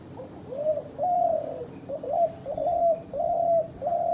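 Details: Hunter's decoy dove calling: a steady run of six short, mellow coos, each a slightly rising then level note, following one another at under a second apart, with faint room noise behind.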